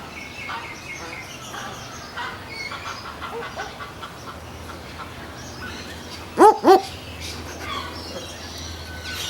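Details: Barking Owl, often heard after sunset, gives a quick double 'wook-wook', two gruff dog-like barks in under a second, over faint chirping from other birds and soft background hiss.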